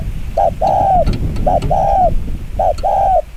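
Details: Spotted dove giving the very fast 'chiêu gù kích bổi' cooing style: three clear paired coos, each a short note followed by a longer mellow one, spaced about a second apart over low rumbling background noise.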